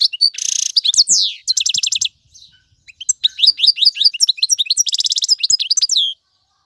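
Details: Singing male European goldfinch, played for fledglings to learn from: a harsh buzzy burst, then quick liquid twitters and rattling trills with a brief gap midway, ending abruptly.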